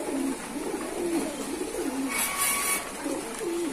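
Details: Pigeons raised by a keeper give low, rounded coos, short notes about once a second, with a brief higher rustle midway.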